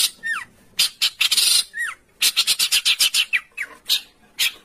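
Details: Training recording of a songbird in harsh 'besetan kasar' style for home and contest birds: a varied mix of falling whistled slurs, buzzy rasping bursts and quick harsh pulses, irregularly spaced.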